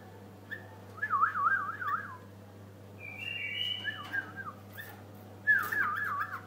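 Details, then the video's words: Song of a white-eared bulbul: rapid wavering, rolling whistled phrases alternating with a higher sustained note, loud and clear against a faint steady hum. "بلبل حساوي"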